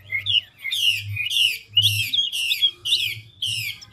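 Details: Chinese hwamei, mature and wild-caught, in fast voice-switching ngũ trường song: loud, coarse, buzzy, descending phrases delivered in regular bursts of about two per second, with rich whistled undertones.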